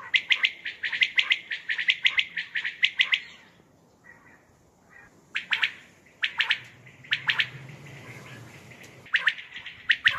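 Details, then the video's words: Common quail at night giving sharp, liquid clipped notes, first in a quick run, then in short groups of two or three with pauses between, over a faint low hum; a call used for hunting. "Common Quail sounds batair sounds for hunting batair ki awaz night بیٹر کی آواز رات کے وقت"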